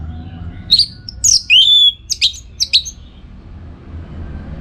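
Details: Orange-headed thrush (anis merah) training song for bird contests in northern Bali: swooping whistles, a drawn-out descending note and several short sharp chips.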